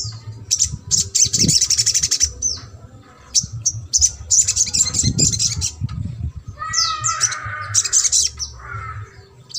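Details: Sogok ontong trotol song for stimulating a mute bird: rattling high trills in bursts, interspersed with short whistled slurs and a lower warbled phrase toward the end.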